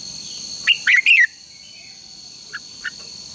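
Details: Red-whiskered bulbul song used to train contest birds: a brief loud phrase of three slurred whistled notes, followed by two faint short chirps, over a steady high-pitched hum.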